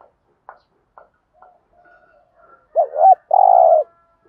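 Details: Spotted dove lure recording meant to trigger wild doves to sing, opening with faint clicks and soft notes, then a loud doubled coo followed by one long, steady hollow coo.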